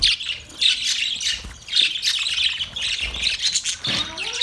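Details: Budgerigars chirping and chattering: loud, rapid scratchy warbles with thin whistled notes, varying in bursts, and occasional low thumps in the background.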